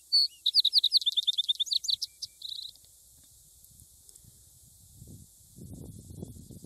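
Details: Singing vesper sparrow delivers a rapid run of clear, sharply repeated high notes that closes in a quick buzzy trill; quiet follows, with soft low rustling or wind noise near the end.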